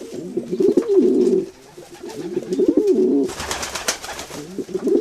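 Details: Deep, rolling pigeon coos come in two bursts, broken by a loud flurry of rustling noise like flapping wings before the cooing returns.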